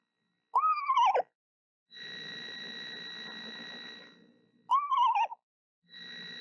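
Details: Mother screech owl incubating eggs that may hatch on March 28th, singing sweetly to them: two tremulous, descending whinnies about four seconds apart, separated by a steady electrical-sounding hum.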